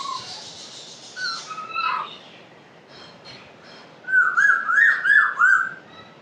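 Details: Talking pet African grey parrot gives a few mixed whistles and squeaks, then a loud wavering whistled phrase rising and falling several times in quick succession.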